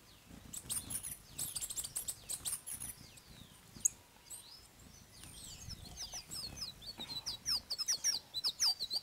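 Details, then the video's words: Hummingbirds in Colombia give thin, very high squeaky chips and twittering sweeps, several birds calling in quick bursts, with a soft low pattering beneath. "COMUNICÁNDOME CON LOS COLIBRÉS"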